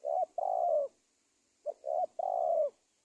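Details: Spotted dove trapping lure: two loud close phrases, each a short coo, a middle coo and a long slightly falling coo, with faint hiss in the background.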